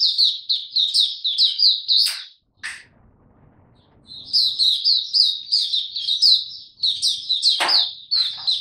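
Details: Maturing song of a male white-eye, 9 February 2022: bursts of fast, high twittering warble, broken by a sharp click and a near-silent gap before the song resumes, then another sharp click.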